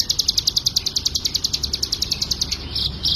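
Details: Bar-winged prinia, 'ngebren' song used to tutor other songbirds: a rapid string of sharp high chips, about seven per second, ending in a couple of slightly lower, harsher notes.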